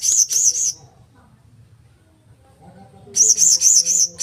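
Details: Blue-crowned hanging parrot giving two bursts of very high, shrill, rapidly pulsed squeaky notes, one at the start and a longer one near the end, with a quiet gap between them.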